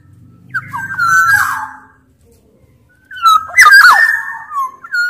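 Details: Black-naped oriole of the large-bodied Sumbawa type, singing actively. Loud fluty whistled phrases with sliding, bending notes, given in two bursts separated by a quiet pause, with a low buzzing rattle early on.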